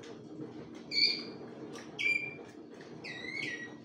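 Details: Malinois Waterslager canaries singing; separate short bright whistled phrases, some falling, spaced about a second apart over steady low background noise.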